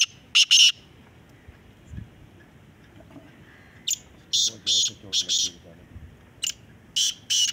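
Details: Black francolin in a calling competition giving scattered harsh, rasping note groups separated by quiet gaps, with faint low voices in the background.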